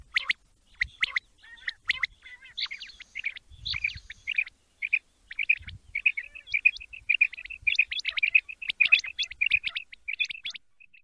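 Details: Quail (batair) voice for morning hunting: dense run of short chirps that speeds into a fast, even trill of clipped notes before trailing off, with faint low thuds underneath.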